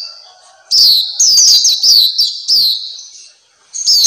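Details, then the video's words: Papua white-eye, or black-capped white-eye, a kept songbird, gives a lively burst of high, sweet downslurred notes strung together after a brief quiet start, then resumes with another fast phrase at the end. "Terapi Masteran Pleci Black Capped/Pleci Papua"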